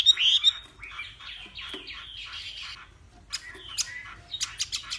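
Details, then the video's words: Contest-singing Hwamei from Northwest Vietnam during morning practice: a loud ringing whistle opens, then softer warbled phrases and sharp clipped notes scattered near the end. "Hoạ Mi Hót Đấu /hoạ mi hót sáng luyện giọng"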